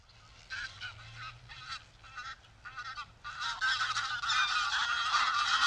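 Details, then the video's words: Greylag goose recorded in the wild, harsh nasal honks in irregular bursts, several overlapping birds building to a loud chorus toward the end. "Greylag Goose Sound – Song & Bird Calls"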